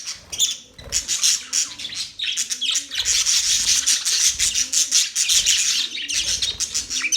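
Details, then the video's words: Budgerigars chatter almost without pause: rapid, buzzy, high-pitched warbles and twitters that overlap densely, with only a brief lull near the start. "Budgies bird chirping sound"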